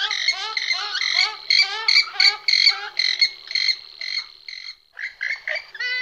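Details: Several pairs of purple swamphens give varied calls: loud, nasal, cackling notes in quick bursts, about two or three a second, with sharper squeaky calls toward the end.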